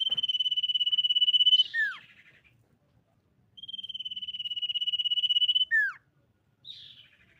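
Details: Common iora, said to be female, lure song to make other birds sing: two long, even trills, each closing with a downward-swooping whistle, then a brief buzzy note.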